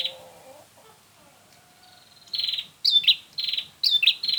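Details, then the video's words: Bar-winged prinia lure call for trapping. A faint lower warbling note opens, then a thin rising tone leads into rapid, buzzy, high-pitched bursts repeated about once a second, some with sharp squeaky accents. "Suara untuk memikat burung prenjak"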